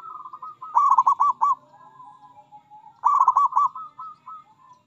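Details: Local zebra dove (perkutut) singing its rolling coo: a fast burst of bubbling, stuttered notes, then a level trailing tone, repeated twice about two seconds apart.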